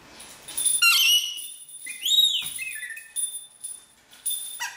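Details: A pet rainbow lorikeet, which learned to mimic its owner's R2D2-bleep phone ringtone and chirps like R2D2 when its bell/ball is rolled, gives clear whistled bleeps and a bright rising-then-falling warble in a few short bursts.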